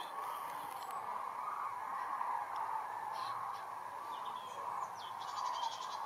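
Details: Common cranes migrating south in flight over Essen-Steele, Eiberg and Horst in Essen, Germany, on 24 October 2021: a dense, continuous chorus of overlapping mid-pitched calls from the passing flock, with scattered faint higher chirps above.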